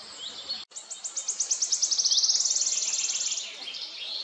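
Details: Single wood warbler song phrase: after a short dropout, high, evenly spaced ticks quicken smoothly into a dense, shivering trill. The trill holds, then trails off into softer notes.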